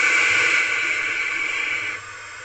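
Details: Owlets in a nest box hiss at night, 10:33 pm on 20 April 2023, as a parent owl arrives with a rodent; the hiss is described as made when scared or to deter. A loud, steady, breathy hiss lasts two seconds, then drops to a quieter rush.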